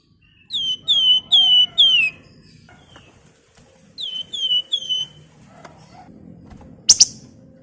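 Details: Javan fulvetta singing to prompt and teach other birds: a series of four sweet high whistles sliding downward, a softer repeat of three, and a single sharp harsh double note near the end.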